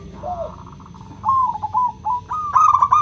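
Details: Zebra dove, local type, cooing to prompt other doves to sing: a faint stuttering trill, then louder wavering whistled notes climbing into a ringing, rapidly pulsed phrase.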